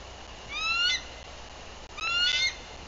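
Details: Nest livecam in Bluff City, Tennessee, 14 April 2023: a female bald eagle on guard after arriving gives lengthy alert vocals, here two strong series of piercing, upward-sliding squeals separated by a brief pause, over faint hiss.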